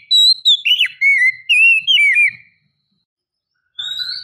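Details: Female white-rumped shama calling to the male: clear rich whistled notes sliding down and up in quick succession for over two seconds, silence, then a high whistle resumes.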